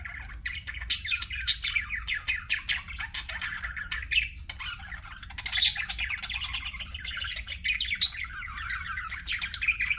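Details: Budgerigars kept as pets chirping: dense warbling chatter of short buzzy notes and rapid trills, with occasional sharp high squawks standing out above the steady twittering.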